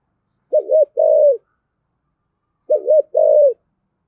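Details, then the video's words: Two evenly spaced coo phrases from a spotted dove with a 'giọng thổ' voice, each a quick two-beat note and a sustained descending coo, about two seconds apart, in otherwise silent surroundings. "cu gáy giọng thổ giọng hay thúc gù bổi nghe gáy theo sung mãn"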